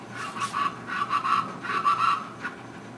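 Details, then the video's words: A plain chachalaca gives harsh, raspy notes in an uneven series of about six bursts over three seconds, with a low background hum. "Plain Chachalaca"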